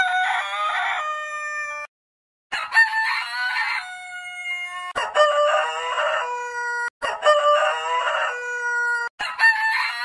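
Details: Roosters of heritage chicken breeds crowing in quick succession: five strong cock-a-doodle-doo calls cut one after another, each with a coarse first part and a drawn-out, clear tail.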